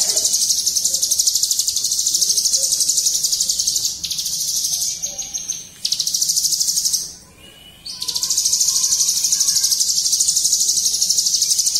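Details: Ciblek gunung singing in 'bren ngunci' style: a dense, very rapid high trill held almost without pause, with breaks near four and seven seconds before the fast run resumes. Faint chirps and low background noise sit underneath.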